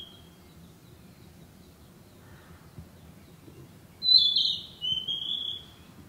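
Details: Narcissus flycatcher, a summer bird breeding locally, singing in the woods: after four quiet seconds, a bright high whistled phrase drops in pitch, then a second pair of clear whistled notes, over faint low background hum.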